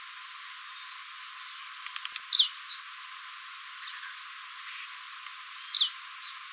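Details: Captive Blue-black Grassquit singing live, recorded for training other birds: a sharp, high, buzzy downslurred phrase given twice, about three and a half seconds apart, each preceded by scattered thin ticks.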